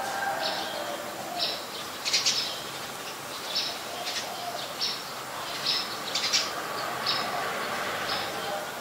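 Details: Brown-throated sunbird (Anthreptes malacensis) filmed with a Nikon P1000 in Ubon Ratchathani, Thailand, 13 January 2021: a string of short, high, ticking chirps at uneven intervals, some doubled, against a constant hiss.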